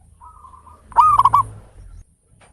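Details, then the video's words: Zebra dove of local stock, singing steadily with a big voice as a lure to stimulate others: a soft drawn-out note followed by one loud burst of quick, stuttering coos with clipped knocking beats. "Perkutut lokal gacor suara besar ketukan indah cocok buat pancingan perangsang bunyi"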